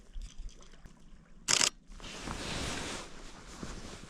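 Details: A sharp camera shutter burst followed by soft rustling and trickling noise in wintry woods, with no animal call heard.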